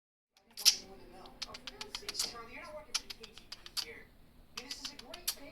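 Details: A male pet budgerigar, friendly and playful, chatters happily while "kissing", mixing sharp beak clicks with quick, warbling squeaks.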